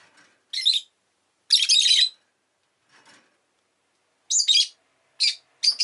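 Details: Pet rosy-faced lovebird, including an orange-coloured bird in its last recording, chirping indoors: harsh, broadband squawky chirps in short bursts with long silent gaps, one longer half-second screech near the middle.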